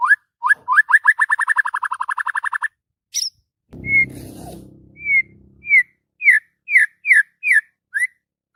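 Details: White-rumped shama morning song opening with a fast accelerating series of rising whistled notes, a low rumbling noise in the middle, then separate clear slurred whistles.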